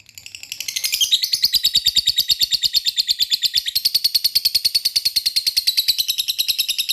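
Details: Lovebird singing: after a soft start, a long, unbroken run of fast, shrill, buzzy chattering notes, about three per second, sustained for roughly six seconds with no pause.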